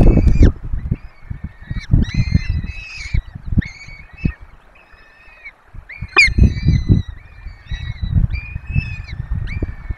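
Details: At a webcammed peregrine falcon nest in Poland's Barycz Valley, four chicks being fed: short wailing calls repeated rapidly, several per second, each slightly arched, with bouts of thumping and a sharp click.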